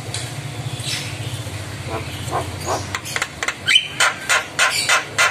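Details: ['Javan myna answering lure calls from another myna, with head-bobbing. Soft scratchy noises build into a series of sharp, harsh clicking bursts roughly every quarter second, over a low rumbling background.']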